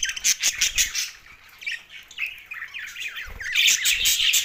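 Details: Two male budgies kept as pets: a run of clipped rapid chirps, a brief quieter pause of twisting squeaky notes, then loud dense warbling chatter.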